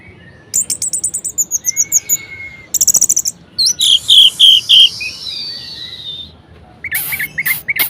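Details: Energetic varied song of an Orange-headed thrush to get lazy birds singing: fast high trill, a steady flat whistle, stuttering bursts, then loud warbled notes and a few harsh chips.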